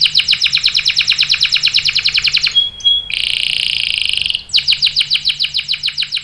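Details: Canary singing long rolls to get other canaries to join in: a rapid pulsed trill, brief pure tones, a steady buzzy roll, then the quick pulsed trill again.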